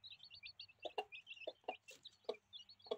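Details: Hens aged 8 and 11 rearing their chicks; short low clucks from a hen repeated about every half second, over rapid high-pitched chick peeping.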